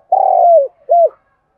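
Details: Spotted dove of Đồng Nai, Vietnam, kept as a calling lure bird. One drawn-out, slightly falling coo with a buzzy texture, followed by a brief rounded closing note. Nothing else is heard.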